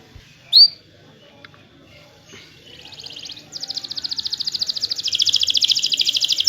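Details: Canary song used to lure quiet canaries into singing: a sharp chirp, scattered faint notes, then a long fast high trill of rapidly repeated notes building in loudness over the last three seconds.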